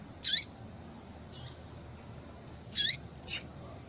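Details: Two short, high, downward-slurred calls from a female double-collared seedeater, a call used to excite males into song, about two and a half seconds apart, with a quick click after the second and faint hiss.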